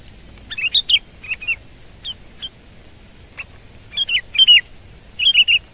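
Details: Sooty-headed bulbul giving scattered short whistled phrases, thin and slurred, some rising then dropping, grouped in twos and threes with brief gaps, softer than full song, over faint background hiss.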